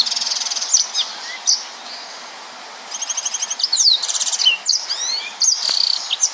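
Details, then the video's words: Yellow-fronted canary singing in the rapid 'nembak' style: a thin high note, a quiet pause, then a burst of fast buzzy trills and sweeping upward whistles toward the end. "Burung Mozambik Gacor||Suara Nembak Full Rapet"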